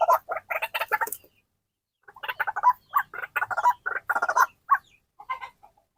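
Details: Captive white-breasted waterhen, called very vocal, near feeding time: loud, rapid runs of harsh, nasal, croaking notes in repeated bursts of several seconds, with a short pause after the first run. Nothing else stands out.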